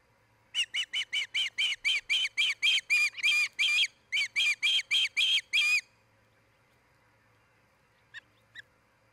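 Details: Osprey at its nest in Charlo, Montana, one of a pair nesting near a Great Horned Owl family: a rapid run of about twenty loud, harmonic, whistled chirps, steady and slightly rising, then two faint short notes after a pause.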